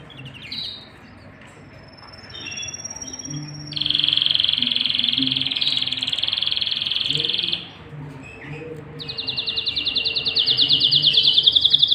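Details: Male and female canary together, chicks fed in the nest; a short whistle, then a dense buzzy trill holding steady for about four seconds, a pause with soft chirps, and a second rapid rolling trill building louder.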